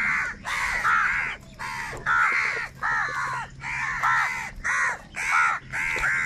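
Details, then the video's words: Crows squabbling over food keep up a steady string of loud, rasping caws, about ten in six seconds, each a short harsh burst separated by brief pauses. "Angry kauwa ki awaaz | Very loud voice of crow sound | Crow bird Fight for Food"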